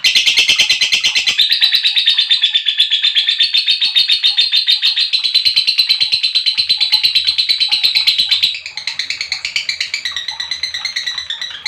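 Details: Lovebird chirping for provoking other lovebirds to sing: a long, dense, buzzy chatter of rapid high notes running unbroken, then dropping slightly in loudness and shifting to a choppier trill near the end.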